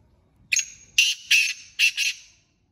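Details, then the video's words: Calling in jungle, a black francolin gives a brief sharp opening note followed by four rasping, buzzy notes grouped as two pairs. Faint low rumble precedes the phrase. "Kala teetar awaz//teetar ki awaz//Black teetra ki boli"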